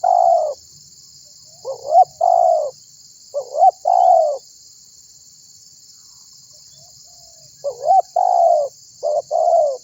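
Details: Spotted dove (tekukur) in vigorous voice, calling other birds to join in; bursts of soft low coos, hiccuping rising notes then longer coos, a silent gap of several seconds, then more phrases, with a steady high insect-like hiss throughout.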